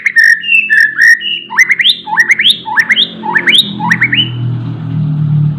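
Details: Oriental magpie-robin in full song: a few steady whistled notes, then a run of quick upward-sweeping whistles repeated roughly every half second, over a low background hum.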